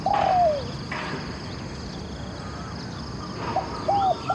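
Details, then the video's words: Spotted dove cooing at a decoy session: a drawn-out falling coo, a pause with faint background noise, then a run of short hooked coos. "ออกต่อนกเขามหญ่ เจ้าหลิ่วคารมหนุนขัดเปลี่ยน อ ช้าง เสียงดีมาก"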